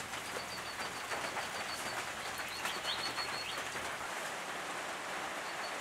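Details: Brown treecreepers, eastern subspecies victoriae, at a nest box on a restored property in the Capertee Valley, NSW, in late August 2018: long rapid series of high, thin, repeated pips over constant rustling noise.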